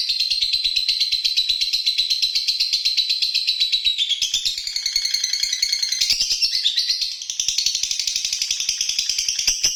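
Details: A lovebird delivers a long, nonstop high-pitched chattering song, with warbling notes that shift in pitch, over a fast ticking rhythm.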